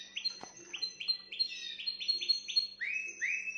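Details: Canary song to stimulate a female, a series of bright rising whistled notes repeated about four times a second, shifting into lower swooping notes near the end, over a faint steady hum.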